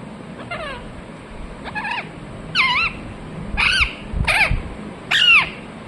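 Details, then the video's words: Chirping parrot: six harmonic calls that rise then drop, each under half a second, growing louder through the sequence, with low rumbling noise beneath. "Parrot chirping sounds"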